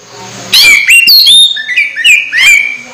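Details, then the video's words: Orange-headed thrush close to moulting yet still singing vigorously: loud, clear whistled phrases with rising and falling slurred notes, sharp high flourishes and buzzy trills in quick succession, set against a quiet background. "Anis merah hampir mabung masih gacor"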